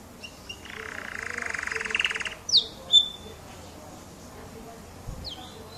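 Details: An F1 canary in full song: a buzzy rolling trill lasting about a second and a half, then a few sharp, high whistled notes sliding downward, separated by pauses.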